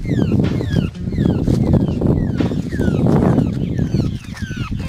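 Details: Large grey babbler calling: a series of harsh, descending, nasal notes repeated in quick bursts, each sliding downward, over heavy low rumbling noise.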